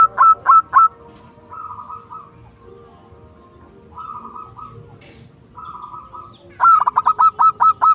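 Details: Zebra dove of local stock giving tumbak cucukan song: three sharp accented coos, soft murmured trilled phrases in between, and a closing burst of about seven rapid punchy notes.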